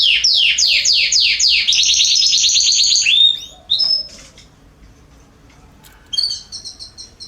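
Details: Canary song from a garden, September 2020: rapid descending sweeps, a high rolling trill and rising notes, a pause, then a short burst of clipped high chirps.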